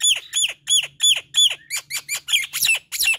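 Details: Nias hill myna repeating clear, ringing whistles that slide downward, about three per second, becoming buzzier and harsher toward the end; gacor kemrewek chatter.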